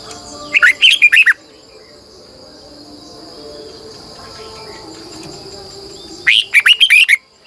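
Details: Red-whiskered bulbul lure bird singing at morning, twisting double-voiced style; two bursts of about six rapid warbled notes roughly five seconds apart, with a steady high-pitched tone droning between them.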